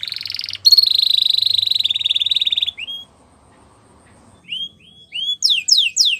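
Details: Canary training song opening with a long, dense buzzing trill, then a brief pause, a few rising whistled notes and quick descending chirped sweeps.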